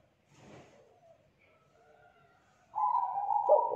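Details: Young wild-caught spotted dove of the two-note 'kuk 2' type, singing with a thick, loud voice: faint soft murmurs, then a strong, steady low coo rising in loudness near the end.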